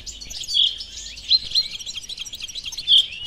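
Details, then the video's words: Goldfinch mule from 2018 delivering a fast, continuous high twitter with a few sharp, ringing accented notes standing out from the chatter. "Mulet Phénomène 2018"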